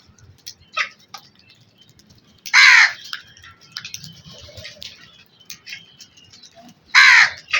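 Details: Two loud, raspy caws from a black crow, spaced about four seconds apart, over quieter chirps and faint background birds.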